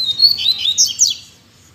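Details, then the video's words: A captive double-collared seedeater delivers a short, loud song phrase of bright whistled notes sweeping up and down, ending in quick descending slurs, in a quiet indoor setting. "OLHA SÓ COMO MEUS COLEIROS ESTÃO CANTANDO!!!"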